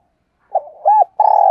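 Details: Decoy spotted dove calling in the morning: a soft low coo and an arched rising-falling note, followed by a long buzzy coo cut short, mellow and clear against silence.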